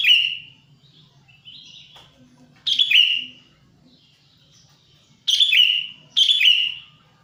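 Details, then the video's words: Sooty-headed bulbul lure call, used to attract wild birds and to prompt bulbuls that stop singing: loud, mellow whistled phrases, each a bubbly burst sliding down, separated by quiet gaps of a few seconds. "suara pikat burung kutilang"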